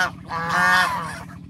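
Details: Duck on a water pool calling: a single drawn-out nasal honk lasting about a second, loud and harmonic-rich, rising slightly then falling, with no other clear sounds.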